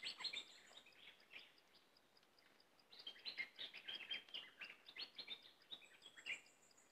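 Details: Cream-vented bulbul delivering scattered chattering phrases of quick chirps and short slurred whistles, with a quieter gap mid-way and a faint regular high ticking behind.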